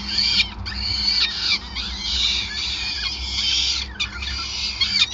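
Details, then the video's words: Continuous wheezy screaming from peregrines at a Groningen nest during feeding on 5 May 2020, loud and rough, with only small dips in intensity across five seconds. "Slechtvalk ~ Endless Feeding"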